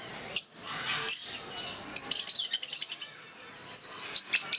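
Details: Rosy-faced lovebirds flocked together at Mysore Zoo: piercing high chirps, with a steady pulsing run of quick notes in the middle and a couple of upward-sweeping squeaks near the end.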